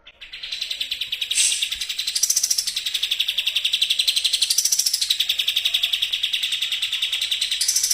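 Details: Sooty-headed bulbul song used as a bait sound to make other birds sing, a fast racing style: rapid, evenly repeated sharp notes near one pitch, broken by brief higher, brighter bursts, with no other sounds.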